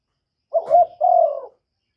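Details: Single phrase from a decoy spotted dove meant to lure wild doves: a wavering, throaty low note sliding into a steady, hollow sustained coo, then silence.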